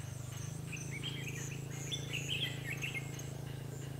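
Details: Red-whiskered bulbul singing fighting song during trapping with a lure bird on 21/12/2015: short, bright, warbled phrases with quick rising and falling notes, over a steady low hum and a faint insect-like buzz.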